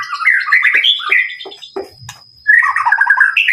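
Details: White-rumped shama singing a brisk sequence of warbled, sliding whistles and chattering notes, a short quiet gap, then another burst of rapid, rolling phrases.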